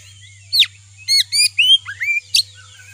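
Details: Oriental magpie-robin lure song for provoking another kacer: a handful of bright whistled phrases, falling slurs and short buzzy notes in separate bursts, with a constant high-pitched tone and faint low hum beneath.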